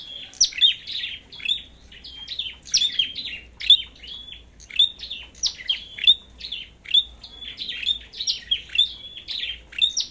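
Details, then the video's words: Competing red-headed flowerpecker giving a long, steady run of high, thin, ticking notes, each ending in a short level whistle, repeated about twice a second without a break. "Chim Sâu Đầu Đỏ Hót Đấu"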